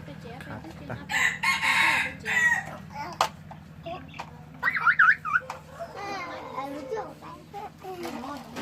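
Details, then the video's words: A single rasping, drawn-out crow from a decoy red junglefowl, about a second and a half long, with people talking before and after and a steady low hum underneath. "ไก่ต่อดี เสียงดังชัด"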